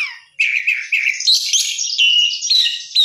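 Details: Short burst of oriental magpie-robin (kacer) 'gacor' song with 'isian mewah' fill-in: a few low buzzy notes, then climbing bright whistles and chirps packed tightly together.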